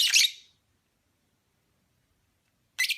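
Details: Opaline parblue lovebird giving a single loud, rasping high chirp at the start, then silence, then a softer buzzy chirp near the end.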